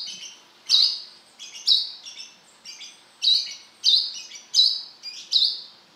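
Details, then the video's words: A Brown-throated Sunbird gives bright, high, sharp chirping notes, repeated briskly about every half-second to second in a lively run, with nothing else heard. "Suara burung kolibri kelapa gacor beset"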